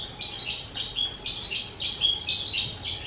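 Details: Two-year-old kept skylark recorded on 18 April 2023, pouring out a rapid, continuous high warble of tumbling chirped notes, dense and unbroken throughout, with a faint steady hum underneath.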